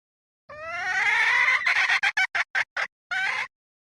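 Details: Lure call of a red junglefowl hen kept as a decoy, 2024 season: a drawn-out harmonic cry breaking into rapid clipped notes, ending with one longer note, in otherwise quiet surroundings.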